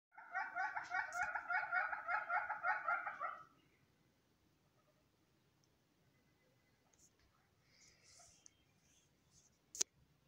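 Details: A red-billed hornbill in The Gambia gives a fast run of hollow, clucking notes for about three seconds, then falls quiet; faint background noises and a sharp click follow.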